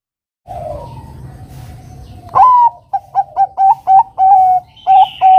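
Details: Bangkok-type zebra dove in lively song, played to provoke a rival to answer. After a soft coo, a rising first note leads into about eight quick staccato coos with a longer held note mid-phrase.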